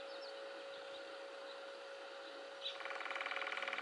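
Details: Woodpecker drumming in a front-yard birch tree in the Conejo Valley, Ventura County, on a spring morning, described as machine-gun speed hammering; after a steady background hum, a fast, even roll of knocks fills the final second.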